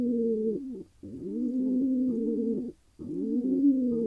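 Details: Deep drawn-out coos from a wild Israeli male pigeon newly paired with a female, one long steady note flanked by shorter ones, a clear pause separating them.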